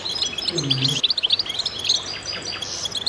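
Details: Chorus of goldfinches with quick, bright chirps and twittering runs, plus a short low hum in the first second.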